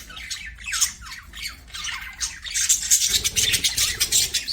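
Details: Budgerigars singing while playing, a busy stream of high scratchy chirps and squawks, dense and overlapping, growing louder and more rapid in the second half with a low hum beneath.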